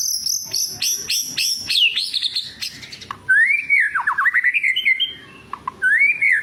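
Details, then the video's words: White-rumped shama song used to provoke fighting spirit in other birds: opens with rapid high chips and whistles, then shifts to lower, rich, looping slurred whistles with quick descending notes and short pauses. "PANCINGAN SUARA BURUNG MURAI BATU GACOR"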